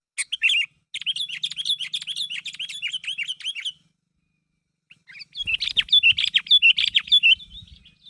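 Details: Sooty-headed bulbul (kutilang), a lively gacor bird, calling to draw others into answering: bursts of fast, bright chirping notes that dip and rise, a short trill, a pause, then another busy run of chirps.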